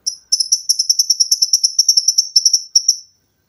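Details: Olive-backed sunbird, a cage-bird training recording, delivering a rapid trill of high, sharp notes near the top of hearing, about six per second, steady and evenly spaced for three seconds with a brief gap before the last notes.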